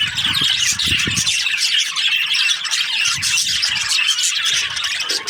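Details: Budgerigar breeding pairs, many birds calling at once in a continuous wall of buzzy, warbling high chatter, with some low knocking sounds early on.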